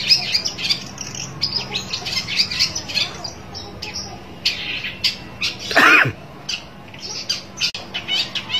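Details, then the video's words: Rival-seeking long-tailed shrike uttering a long string of rough, chattering squawks of varying loudness, broken midway by a brief louder sweeping sound, then resuming with scattered harsh notes. "burung pentet cari lawan"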